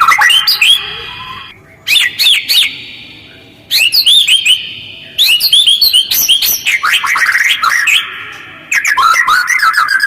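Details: White-rumped shama using a fast, harsh, closely spaced call to provoke other birds: clusters of high whistled slurs and chattering notes come in bursts separated by short pauses, with a sustained whistled tone carrying between phrases.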